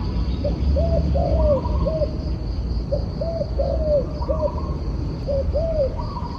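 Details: Rhythmic dove cooing, three phrases in quick succession, each made of clipped hollow coos with one stretched, slightly falling note. A continuous high whine and heavy low rumble accompany it.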